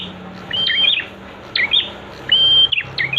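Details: Prinia song played as a master recording to train prenjak birds to sing quickly: three phrases, each a high, level whistle that breaks into quick, sharp chirps, over a low steady hum.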